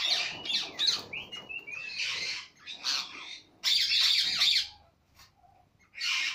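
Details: Cockatiel (caturra) giving a busy run of harsh, high squawks and short chirps, several bursts close together with brief whistled upslurs, pauses between groups, and a final loud screech.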